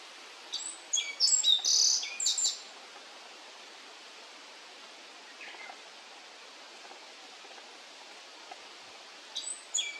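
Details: One of two birds, probably black-faced buntings (identification uncertain), in Yashima marshland, Kirigamine highland, Nagano, Japan, carrying bugs, gives a brisk, high jumble of thin, bright song notes, then sharp short call notes, over a steady soft outdoor hiss.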